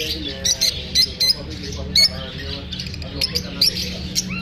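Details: Lovebirds calling after feeling unsafe while being filmed: loud, sharp squawking chirps burst out every half second or so over busy background twittering, with a low steady hum underneath.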